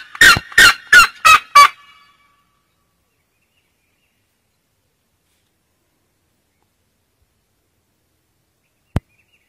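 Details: A Red-legged Seriema (Cariama cristata) in Brazil sings to mark territory: five loud, harsh yelping notes in quick succession, each slightly falling, then silence and a single sharp click.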